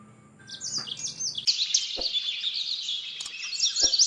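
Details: Yellow-fronted canary song in gacor style for bird training: a few high twitters, then a dense continuous wash of high chattering with brief sharp clicks breaking through.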